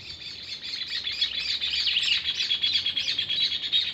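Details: Male saffron finch (pica), a pet singing at full, sings a fast, unbroken run of high, sharp chirps and twitters, about three notes a second and loosely paced, with no other sounds.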